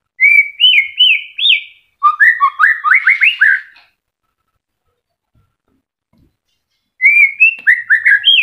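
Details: Moulting white-rumped shama, a kept bird beginning to grow new feathers but still singing sweetly, serving as a lure for shamas that have stopped singing: clear whistled upslurs, then fast stuttering trills, a pause, and more bright whistled phrases.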